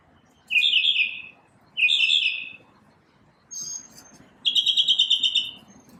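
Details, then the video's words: In the morning a lone bird sings two quick warbled phrases, then a thin high note, then a rapid pulsing trill of evenly repeated notes. "Birds chirping | Bird chirping sounds | Bird singing | Morning bird sounds"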